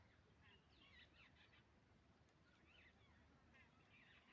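A black francolin gives harsh, grating, clicking phrases, repeated about every second, over a steady low rumble of wind or distant traffic.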